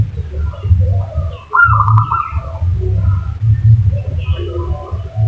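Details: Zebra dove call played as a lure to draw a reply: one clear, quick rolling trill of coo notes lasting under a second, set against a persistent deep background rumble.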